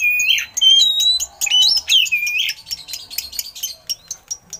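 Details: Oriental magpie-robin song with eagle-call imitations for tutoring songbirds: a falling buzzy note, clear high whistles, then a dense run of rasping and chattering notes that fades into spaced short bursts.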